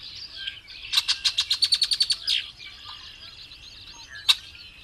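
Variable oriole singing a fast run of about ten bright, high chips, then a buzzy slurred phrase and a single sharp note. The background is otherwise quiet.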